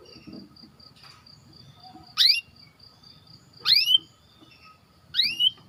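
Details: White canary, recorded as training bait for other canaries, giving three loud rising whistled chirps about every one and a half seconds over a faint steady high tone and quiet background.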